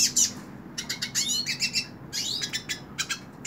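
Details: Hooded siskin singing in the hand, giving loud high chips followed by a fast, buzzy twitter and more chattering bursts separated by brief pauses.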